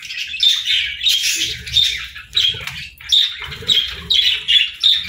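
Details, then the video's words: Budgerigars at morning feeding give sharp, squeaky chirps in spaced bursts, about one every half second, with soft low knocking beneath. "Good Morning Birds Chirping | Budgie Feeding Time"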